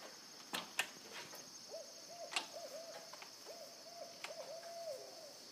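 Owls give a run of low, wavering hoots in short repeated notes, with a few sharp knocks and a steady high hiss behind.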